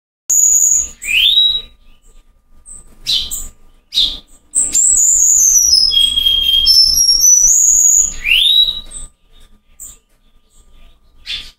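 A Cuban bullfinch sings thin, high whistles: quick upslurs, then a long wavering phrase that drops and climbs again, repeated after a pause.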